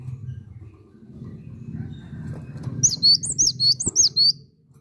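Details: Cinereous tit singing actively: after a low rumbling background, a quick series of six high, sharp whistled notes, each dipping and rising, ends the recording.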